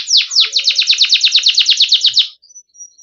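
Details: Yellow canary song: a fast, even trill of high descending chirps repeated for about two seconds, then fading to brief faint notes and quiet.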